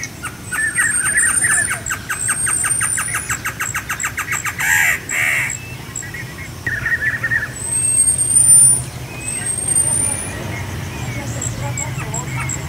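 A Great Antshrike sings a fast, accelerating run of hooting notes that ends in a harsh growl.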